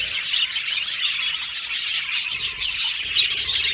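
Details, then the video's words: Pet Australian budgies chirping and singing, quick high whistled notes and chatter repeated in rapid pulses by a group of birds. "Australian Budgies Birds Singing & Chirping Sound"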